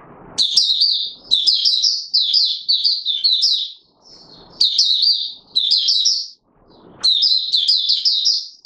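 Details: Oriental white-eye singing in courtship mode on 25 January 2022 after a late night: repeated high, rapid warbled phrases of slurred notes, separated by short pauses with faint low rustling.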